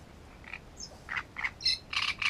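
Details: Great reed warbler singing at Grachevka, 17 June; harsh grating notes spaced apart, rising into louder rapid doubled croaks at the end, with one thin high whistle early on.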